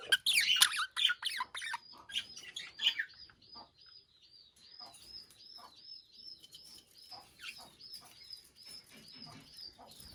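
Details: Budgerigars in a cage chirp loudly in a burst of harsh, scratchy notes, then a quieter run of rapid, evenly repeated high arched chirps about four per second, with soft chatter underneath.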